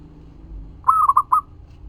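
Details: Single phrase of zebra dove song used to lure other doves: a short longer coo followed by two quick rolling notes, against a steady low background hum.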